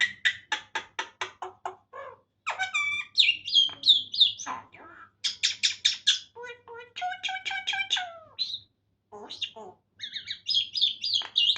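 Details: Common myna mimicking human speech in Farsi, a rapid run of clear harmonic syllables, squawks and whistled notes with short pauses between phrases.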